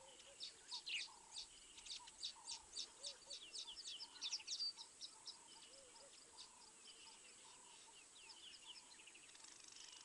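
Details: Crimson-breasted shrike calling at Mabula on 19 September 2023 at 7:20 AM SAST: repeated mellow whistles and lower warbled notes, partly covered early on by a rapid burst of high twittering from another bird.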